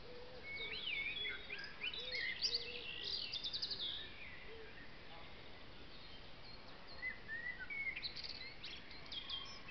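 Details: Great tits at a woodland bird feeder inside a tipi: bursts of sharp, high twittering chirps come thickly at first, then thin out to scattered whistled notes, with a few low soft notes and faint background noise.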